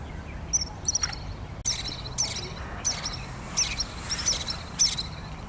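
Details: Pied kingfisher, resident on Kinmen, repeating crisp, high, squeaky double-noted chirps in bursts every half second or so, with a brief thump partway through and a low ambient drone underneath.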